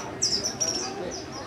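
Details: Pied Kingfisher (Ceryle rudis rudis) at Lake Awassa, Ethiopia, 19 Jan 2015, giving sharp, very high squeaky notes: a quick burst of chirps, then a fainter note a moment later, over a low background murmur.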